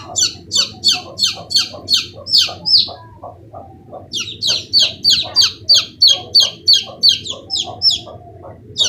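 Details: Young chicken chicks; loud, high-pitched peeps in a steady series, about three per second, each a sharp downward-sliding note, with a brief pause near the middle.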